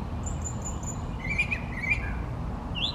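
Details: A male brown thrasher, singing from trees for fifteen minutes or more, gives a few short, varied phrases: a thin high whistle, then sharper mid-pitched chirps and a final slurred note, over a steady low rumble. Brown Thrasher.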